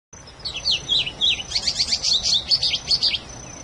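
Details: Wild patativa (plumbeous seedeater) singing the mateiro-style song: three slurred, dipping whistles, then a fast run of bright, high, repeated notes, over a thin steady high whine.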